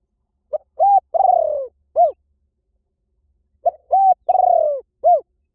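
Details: Spotted dove giving a lure song said to draw wild doves in quickly in any forest. Two matching low cooing phrases about three seconds apart, each a short note, a hollow coo and a long slurred falling coo, then a final short coo.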